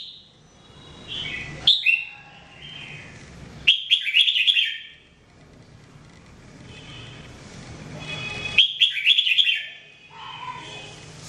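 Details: Red-whiskered bulbul singing during everyday training, three bursts of quick, chattering whistled phrases spaced a few seconds apart, with softer warbled notes between and a faint low hum.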